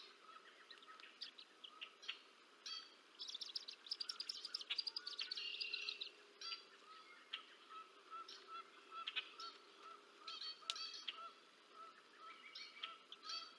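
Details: Bald eagle adult feeding two chicks on the Decorah North nest, March 30, 2024: rapid high chattering chirps peaking in a squealing run, followed by sparse repeated lower notes and clicks.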